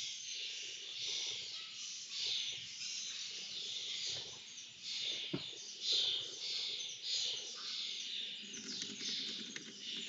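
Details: Feeding of lesser kestrels, with dense scratchy begging screeches running throughout, a sharp click-like knock near the middle and a murmur of low background noise.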